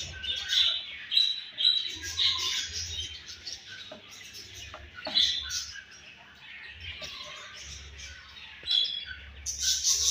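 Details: Home-bred budgerigar baby with rapid, shrill chirping and squawky warbles in uneven bursts, quieter stretches between them, and a low intermittent hum behind.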